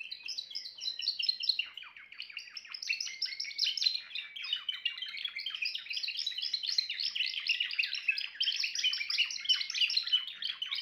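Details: Timbrado canary singing a sustained run of fast rolling trills and chattering high notes, building steadily in density, with no competing sounds.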